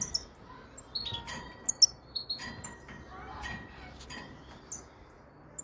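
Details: European goldfinch of the subspecies Carduelis carduelis frigoris, singing high, tinkling twitters: short liquid chirps, thin whistles and brief trills scattered irregularly, with a few sharp clicks and a faint low background hiss.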